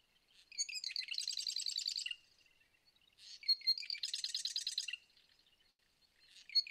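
Marsh Wren song: a few ticking introductory notes, then a rapid, gurgling, mechanical rattle lasting about a second and a half, repeated twice.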